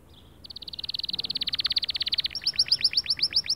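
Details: Singing male white canary, used to motivate other birds: a fast even trill that shifts lower and louder, then breaks into bright repeated rising-falling whistled notes.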